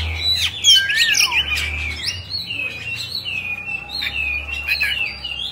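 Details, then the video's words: Oriental magpie-robin kept as a cage bird, singing with its tail fanned: a busy run of warbled, wavering notes, then level sustained whistles with short chips, over a faint low hum. "Choè Than Bạch Bạng Hót Múa Xoè"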